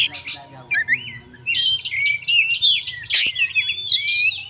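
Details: Oriental magpie-robin, a fighter bird whose song is full of fill-in phrases, meant to fire up other magpie-robins: varied whistled phrases, rising and falling slurs and quick chirps, with one sharp harsh note near the end.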